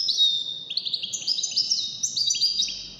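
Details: Fast, unbroken high twittering and tinkling trills from a wild-caught European goldfinch, among five birds judged in a song competition, the chirps tumbling rapidly with little pause.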